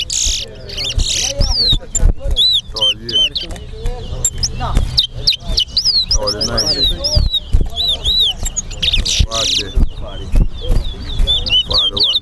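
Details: Chestnut-bellied seed finch (towa towa) at a singing competition in Guyana National Stadium: repeated high whistled loops and downslurs over steady speech, laughter and music from the crowd.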